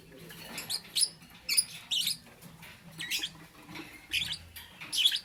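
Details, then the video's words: Lovebird chirping in the morning, sharp shrill squeaks in short bursts about every half second to a second, separated by brief pauses, over a faint low hum. "Lovebird - Beautiful Colors - Chirping Sounds"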